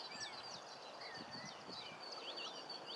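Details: Common linnets at the coast in Cornwall twitter in quick, high, slurred chirps and short trills, several birds overlapping, over a steady rushing background.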